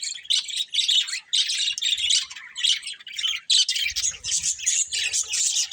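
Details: Continuous budgie chatter of rapid, scratchy, warbling chirps, dense and loud throughout with only tiny gaps.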